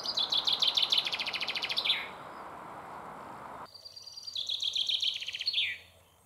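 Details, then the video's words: Chaffinch singing from a big stone roughly ten metres off, having just drunk, still singing while feeding: two loud phrases, each a rapid rattling run of bright notes that quickens and finishes with a falling terminal flourish. "Pinson des arbres chant"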